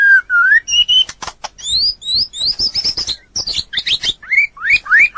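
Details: Murai batu, or white-rumped shama, singing in a long tutoring recording for other birds: clear slurred whistles, dry clicks, a run of high bright rising notes and closing upward-swept whistled phrases.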